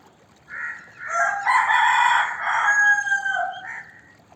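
A rooster gives a single loud crow of about three seconds: a short opening note, then a long harsh sustained cry that drops away at the end.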